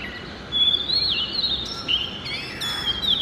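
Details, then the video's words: Early-morning song of an Oriental magpie-robin, Copsychus saularis: clear, varied whistles rising and falling, a long drawn note followed by quick sliding phrases and a bright upswept flourish near the end. "Music of the Oriental Magpie Robin Copsychus saularis - sighting and call"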